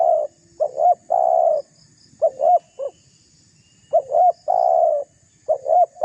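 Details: Vigorous Spotted dove coos meant to anger and draw in a rival: repeated loud phrases of paired short rising notes and a long purring coo, coming in quick succession.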